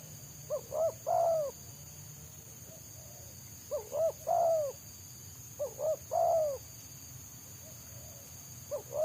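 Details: Wild spotted dove singing in a dense, fast style dominated by selang nguku, while a trapper's decoy tries to lure it down. Three quick coo phrases, each ending in a long falling coo, come about every 2.5 seconds over a steady high hiss.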